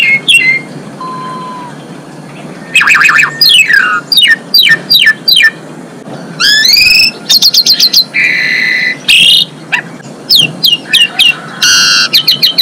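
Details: Female Asian pied starling singing actively to get males into breeding condition, with a soft whistle, clusters of descending slurred notes, harsh buzzy bursts, rapid trills and squeaky chatter over a long varied phrase.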